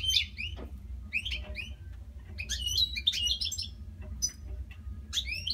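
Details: Pet European goldfinches keep singing through the night. A dense, liquid twittering of chirps and trills tumbles almost continuously over a constant low background hum.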